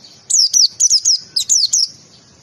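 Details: Pleci (white-eye) tembakan song for masteran tutoring: rapid high descending notes in paired clusters, with short gaps between the groups, against faint low background hum.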